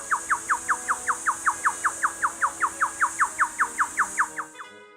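A lyrebird gives a steady run of about twenty sharp, downslurred whistles, roughly two or three each second, over a high insect-like hiss.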